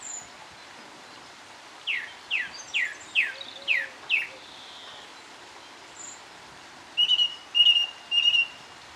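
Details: Wild song thrush in song at Cherry Hinton Hall on a dreary winter's morning, giving six rising slurred whistles in a row, then a pause and a trio of sharp repeated chirping notes.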